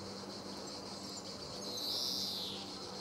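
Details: Male European greenfinch recorded at Sabunike, Croatia, on 26 July 2014: a single drawn-out, buzzy, nasal wheeze lasting about half a second, set against a steady high insect hiss.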